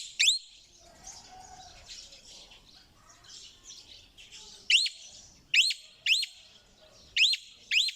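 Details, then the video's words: Parrot squawks: one early rising shriek, then a faster run of five sharp upswept calls in the last half, over murmuring background birds. "เสียงนกแก้ว.Suab yeeb kub(leeb nkaub)"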